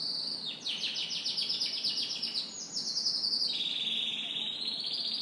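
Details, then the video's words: Canary in morning song, delivering continuous high rattling trills that change speed and pitch, then a smoother sustained warbling phrase, with faint low background hum. "Canary Morning Singing"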